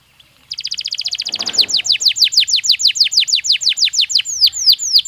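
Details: Belgian canary song for training other canaries: after a short silence, a rapid high trill gives way to a steady series of bright, descending whistled notes repeated several times per second, ending in slower upward-curving notes.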